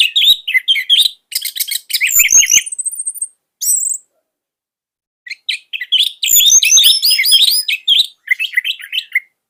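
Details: Caged orange-headed thrush in Indonesia, used to tutor young or quiet birds, singing dense high chattering and whistled phrases in two long bursts with a silent gap of over a second between them.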